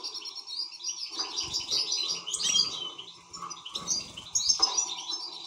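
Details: Excited European goldfinch singing a fast, dense twittering stream of bright, high chirps and trills, with brief pauses and a few louder bursts over a faint steady hum and soft low thumps.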